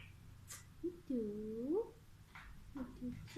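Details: A caged Alexandrine parakeet talks in short, speech-like phrases, including a drawn-out nasal syllable that swoops low and then rises, followed by quick chattering bits in a quiet room.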